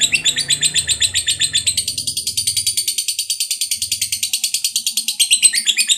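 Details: Sustained 'ngekek panjang' chatter by a fighter lovebird, played to encourage other lovebirds to sing: fast, piercing, buzzy notes in a relentless run that steps up in pitch partway through, with faint low rumble early.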